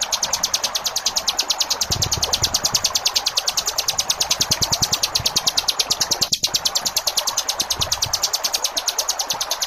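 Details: Plain flowerpecker in a masteran recording for training cage birds, singing the 'ngebren' style with short gaps: a steady, dry rattle of sharp ticks, about three per second, running unbroken, over the constant hiss of flowing water.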